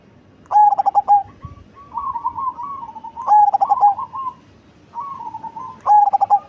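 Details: Large Cemani zebra dove with a big, bassy voice sings three loud stuttering coo phrases, each ending in a sustained note, alternating with softer undulating cooing.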